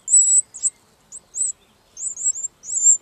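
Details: Wren chicks being fed by their parents, giving very high, thin, slightly buzzy chirps in short bursts and wavering strings, with brief silent gaps between them.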